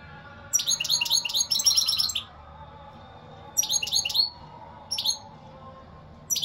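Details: Lively European goldfinch song in repeated bursts: a long tinkling, chattering phrase, then shorter twittering fragments separated by quiet gaps.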